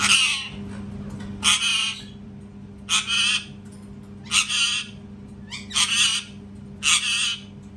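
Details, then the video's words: Parrot screaming too loud: repeated harsh, grating screeches, mostly paired bursts, coming roughly every one and a half seconds across the stretch, with a steady low hum underneath. "PARROT SCREAMING TOO LOUD | PARROT SCREAMING SOUNDS"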